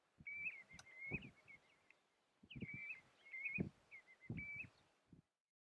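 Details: Dunlin (Calidris alpina schinzii) at Pool of Virkie, Shetland, UK, July 2013, gives two bursts of short, buzzy, slightly rasping calls at a steady mid-high pitch, with low thumping wind noise.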